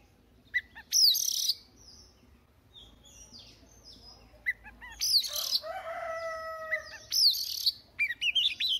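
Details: Morning song of an Oriental magpie-robin, said to be a young bird practising its voice, with harsh high buzzes and short whistles, then a steady level whistled tone held under the buzzing, finishing in quick chirped notes.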